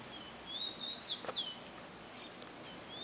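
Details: Rufous-collared sparrow in a garden sings a high, level whistle that climbs, then drops into a steep descending slur. The phrase starts again at the end, with faint clicks in between.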